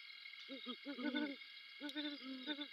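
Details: Wild great horned owls, a female on a branch and a male calling back and forth before mating at night, 3:55am in December; low soft hoots in quick overlapping series, two bursts, steady hiss of insects or background noise above.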